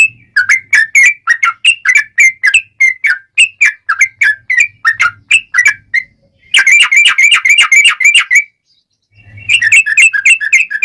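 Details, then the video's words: Fighting song of a sooty-headed bulbul with long rapid trills, used as a lure to set other bulbuls singing: a steady string of sharp whistled notes, then a dense, fast bubbling run and a final chattering burst. "Trucukan Gacor Tarung ROPEL PANJANG || cocok buat pancingan trucukan agar bunyi"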